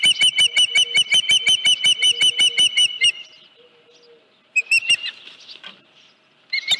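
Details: Osprey on the nest at Dunrovin Ranch, 31 July 2018, with a headless fish brought in that morning; around fifteen piercing whistled chirps in quick, even succession, a pause, then further short bursts of calling.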